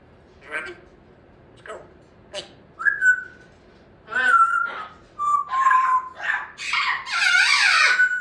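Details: A young female African grey parrot practising her words in the afternoon, with a yellow-naped Amazon chattering in the background, mutters soft word-like sounds and clear whistles, building to a louder burst of mixed chatter and squawks.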